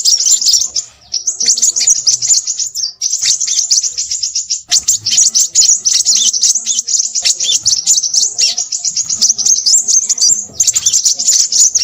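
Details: Long, busy outpouring of crimson sunbird song: shrill, rapid twittering in extended runs, interrupted by a few short pauses, high-pitched and bright throughout.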